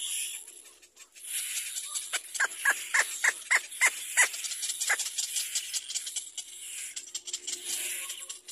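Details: Little black cormorant chick crying for its mother to feed it: a run of short, harsh downward-sweeping squawks repeated about three times a second in the middle stretch, over steady high hiss and faint background chatter.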